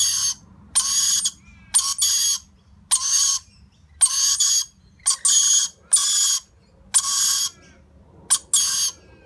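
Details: Lorikeet chick being fed by its parents: loud, harsh, broadband rasping squawks in bursts of about half a second, repeated roughly once a second with short gaps, over a faint low background hum.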